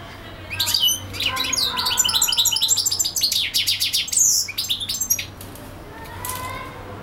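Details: Very high European goldfinch song from a bird that keeps singing for hours: a rapid tinkling twitter of sharp chirps and buzzy trills building for several seconds, then fading to a quieter end.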